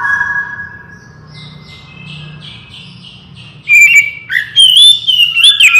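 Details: Oriental magpie-robin singing energetically, played as a lure to make other magpie-robins respond quickly. A quiet start with faint steady tones and low hum gives way, after about three and a half seconds, to loud, clear, sweeping whistles and sharp chips.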